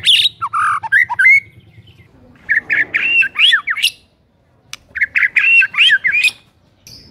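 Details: Energetic white-rumped shama song used as a lure to stir silent shamas into singing: loud bursts of rich, varied whistles and sharp slurred notes in quick phrases, separated by short pauses, over a faint low hum.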